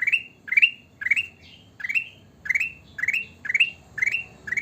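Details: Sooty-headed bulbul singing persistently, a string of eight or nine upward-sweeping chirps at an even half-second pace, each ending in a brief flat whistle, clear against a quiet low murmur.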